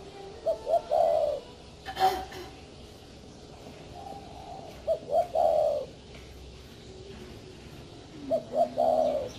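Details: Spotted dove cooing: three phrases about every four seconds, each two short rising notes followed by a longer drawn-out coo, with a brief knock and faint background hiss between phrases.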